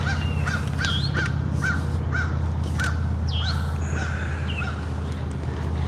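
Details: Crow heard in the background at a lake in western Virginia, United States, a run of short harsh caws spaced roughly half a second apart, mixed with brief rising whistles from other birds over a low continuous hum.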